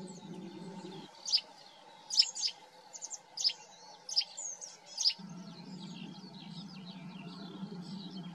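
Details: Eurasian tree sparrow at its nest while feeding young; six sharp, high chirps spaced roughly a second apart, some doubled, over a low rumbling hum that drops out in the middle.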